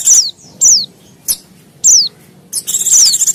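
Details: White-eye lure calls for attracting wild white-eyes: loud, high, descending slurred notes about every half second, ending in a long rattling buzzy trill.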